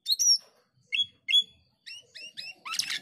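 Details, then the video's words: Male black-winged starling (cucak keling) singing actively: a run of short whistled notes sweeping between high pitches, some paired, ending in a dense burst of harsh buzzy chatter. "Cucak keling jantan gacor menyusun lagu"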